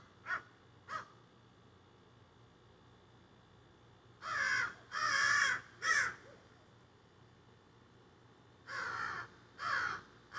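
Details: A group of crows that flew into trees behind a yard, squawking: two short distant caws, then a burst of long, loud, raspy caws, a pause, and two more drawn-out harsh calls.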